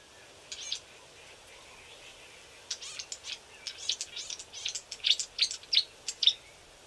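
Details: A few young Green-backed camaropteras, likely learning to vocalise, calling from thick bush on a river bank. Short, high chirps first come scattered, then come quickly in a loose run of about a dozen notes that grows louder toward the end.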